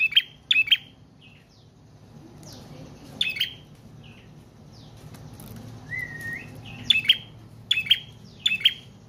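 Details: Prinia song played as a lure and training model for cage birds: clusters of sharp high chips, then a pause with a few softer whistled notes, before the quick chipping bursts resume.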